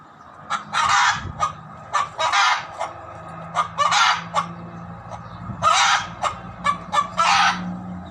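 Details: Loud chicken noises: repeated harsh, raspy squawks, some long and some clipped, in irregular bursts about every second or two, with a low hum beneath.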